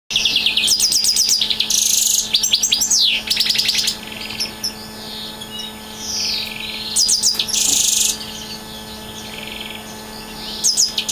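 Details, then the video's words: Siberian goldfinch singing: bursts of bright rapid trills and buzzy twittering, with loud chattering phrases near the start, around 8 seconds and at the end, softer warbled notes between, and a steady low hum underneath. "Siberian Goldfinch Singing"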